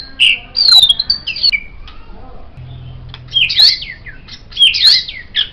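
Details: Song of a white-rumped shama meant for teaching other songbirds: high, squeaky, buzzy phrases in three bursts separated by quiet pauses, with a faint low hum in the background.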